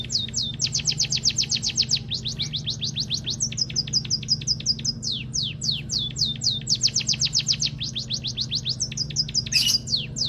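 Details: White-headed munia singing: long runs of rapid, sharply falling high chirps, about four per second, in uneven bursts with brief pauses, over a steady low hum.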